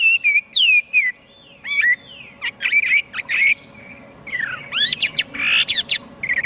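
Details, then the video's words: Rich song of a Chinese hwamei, mixing clear looping whistles, sharp upward flicks and rough, harsher bursts in uneven phrases with short pauses between, above a low constant hum. "Chim hoa mi hot cuc dinh - Extreme nightingale sings"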